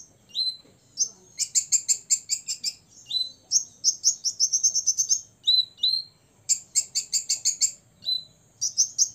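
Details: Song of a six-year-old olive-backed sunbird that is said to rile up rivals. Repeated phrases each open with a thin slurred whistle and break into a fast, sharp, very high trill, several times over.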